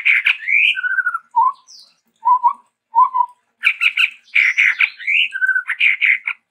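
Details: A Sumatran endemic, the chestnut-rumped babbler, in lively varied song: a harsh note and rising whistle, then fast trills and three separate low whistled phrases, followed by harsh chatter and another rising whistle with a trill.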